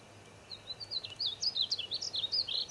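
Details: A painted bunting in the Wichita Mountains, Oklahoma, sings a fast, high, sweet warble of slurred notes that rises and falls continuously for about two seconds, over faint background hiss.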